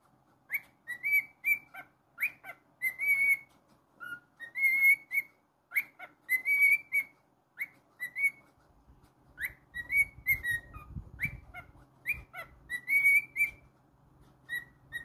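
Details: Pet cockatiel singing a run of short whistled phrases, rising slides and held notes repeated about every second, with a low background rumble partway through.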